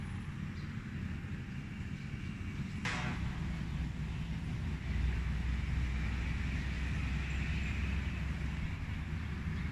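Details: Steady low rumble of passing traffic fills the recording, with one sharp broadband click near the three-second mark and no animal voices.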